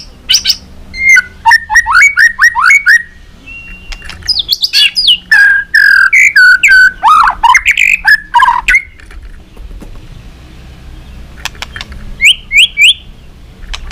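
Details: White-rumped shama in competition song, flicking its tail, delivering long varied forest-style phrases: series of quick rising whistles, dense tumbling warbles and slurred notes, then a pause and a few final high chirps.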